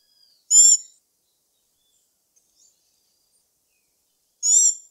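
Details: Saíra-sapucaia, the black-backed tanager, uttering two brief, bright, high harmonic calls roughly four seconds apart, each with a faint lower downward-slurred tail, in near silence.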